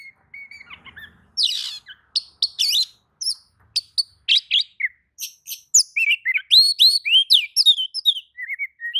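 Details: Oriental magpie-robin singing in response to another magpie-robin, a long, fast, varied series of sharp chirps, buzzy notes and clear sliding whistles pouring out continuously.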